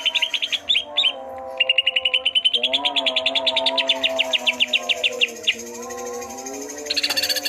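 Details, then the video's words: Twelve chatty, vigorously singing greater green leafbirds, a bird kept by hobbyists and able to mimic other birds: rapid sharp high chirps, three to four per second, in bursts, over steady low humming tones, ending in a bright noisy burst. "12 BURUNG CUCAK IJO 🐦🐦🐦 CEREWET DAN GACOR"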